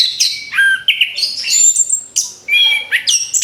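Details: Orange-headed thrush singing, used as a lure for other birds; loud rich run of whistled and chattering notes, rising and falling slurs packed closely, a brief pause, then more bright varied phrases.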